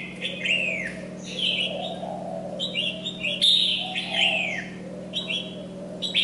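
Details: A moulting Red-whiskered Bulbul still sings lively bursts of bright, chirpy whistled phrases with swooping notes every second or so, over a steady low mechanical hum.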